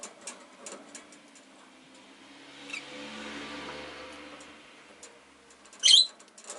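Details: A Rosy-faced lovebird (Agapornis roseicollis) indoors on a relaxed afternoon gives one sharp, shrill chirp near the end, after several seconds of quiet room sound with soft clicks and scratchy ticks; city traffic noise may be present.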